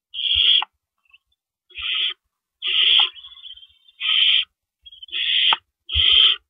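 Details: Owls at a nest at night in April 2012 as adults bring and take away rabbits; six rough, hissing screeches at uneven spacing, some trailing into softer rasps, with low knocks and shuffling between them.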